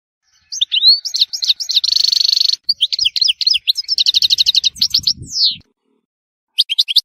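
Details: Near-continuous European goldfinch song from Tissemsilt, Algeria: varied high twitters, a sustained buzzy note, fast trills and a sliding descending note, then a pause before more chirping.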